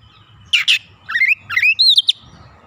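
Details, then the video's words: Brief burst from a young oriental magpie-robin in training, singing strongly with its learned filler repertoire: two harsh, scratchy notes, then a string of quick upward-swooping whistles ending in high chirps. "Kacer bahan langsung gacor bongkar isian"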